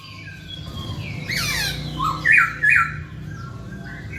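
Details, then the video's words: Masked laughingthrush singing actively to provoke silent birds: a brief harsh, scratchy burst followed by two loud, bright, short whistled notes, set against a constant low rumbling background noise. "KICAU BURUNG POKSAY HONGKONG GACOR"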